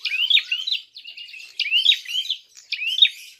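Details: Provoking fighting call of a prinia: three quick bursts of rising, slurred high chirps linked by softer buzzy rattles, about one burst per second.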